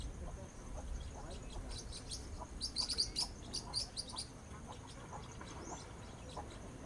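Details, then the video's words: Blue-winged parrotlet gives a quick burst of thin, high twittering chirps, bunched together for about two seconds, over a steady low rumble. "Tuim cantando"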